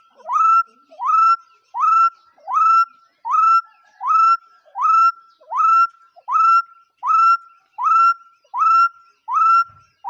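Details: Bird giving about fourteen evenly timed whistled calls, each a quick upward slide into a held note. The background is almost silent, with a faint click at the end.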